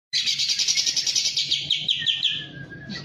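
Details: Pied triller in breeding condition, singing hard with its tail spread. It gives a fast, even trill of bright repeated notes lasting nearly three seconds, slowing and dropping slightly at the end.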